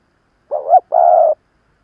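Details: Old decoy spotted dove luring rivals, one clean coo: an undulating, upward-bending opening note and a sustained low steady follow-on, with nothing else audible.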